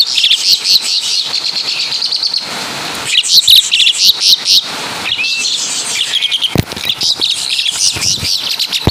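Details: Asian pied starling, native to Java, singing imitations of caladi and kapas tembak: bursts of fast scratchy chatter and shrill whistles separated by short pauses, with a couple of sharp clicks or knocks.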